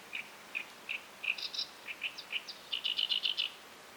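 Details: Great Reed Warbler calling at a tidal flat at high tide, with mudskippers nearby; harsh chirping notes at first spaced about every third of a second, then quickening into a rapid grating run of repeated syllables.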